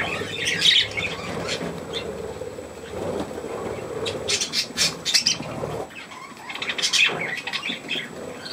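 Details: Recorded 3 May 2024, young budgerigars with millet give intermittent high squawks and chirps over a steady low hum, with a quiet lull near the sixth second.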